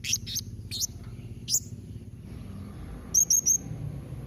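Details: Blue-crowned hanging parrot calling so that other parrots reply: high, piercing squeaks and short downward-swept notes, then a tight run of three sharp chirps, over a steady low rumble.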